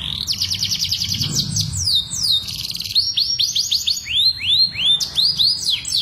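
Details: Breeding-lure song of a canary, meant to hasten mating: quick high trilled notes and descending slurs, then a run of rising hooked notes repeated several times a second.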